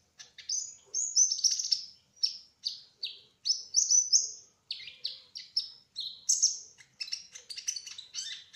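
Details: Rolling ngerol song of a spotted trotol olive-backed sunbird: a dense stream of high, sharp, descending chirps and short whistles, delivered rapidly with hardly any pauses.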